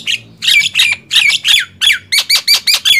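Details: Nias hill myna against black-winged myna in a contest of loud singing (gemboran): about ten powerful, harsh squawks follow each other steadily, each with a downslurred whistled tail.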